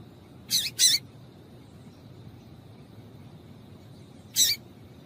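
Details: Female yellow-bellied seedeater calling to rouse males: a quick double raspy chip, a pause of over three seconds, then one more rough high note, over a faint steady whine.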